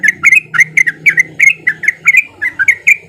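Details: Male sooty-headed bulbul singing lively, played as a lure for quiet bulbuls: a rapid string of loud, clear slurred chirps, about four notes per second, steady and bright over a faint low hum.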